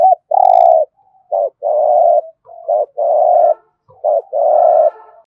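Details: Spotted dove giving 'giọng thổ' coos used to stimulate a dove to coo: low, hollow, sustained coo notes, several preceded by short broken notes, in four or five phrases with faint extra coos between.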